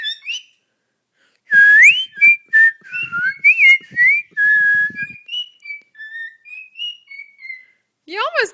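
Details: A pet cockatiel, prompted by its owner, whistles a song in clear, sliding notes, with a person's voice briefly in the background.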